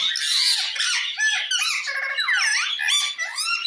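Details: A parrot calling to another parrot with continuous loud, squeaky chatter full of swooping, warbled and bent notes packed closely together.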